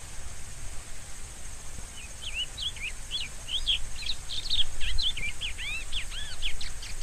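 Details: Song of a rusty-collared seedeater: a lively stream of looping whistled notes beginning after two seconds, growing louder and faster into dense rising-falling trills, with steady hiss behind.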